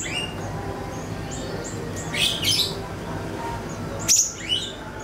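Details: Siri-siri (ashy tailorbird) call, a lure recording for songbirds: mostly quiet hum, broken by a short burst of high twittering near the middle and one sharp high click followed by a few chirps near the end.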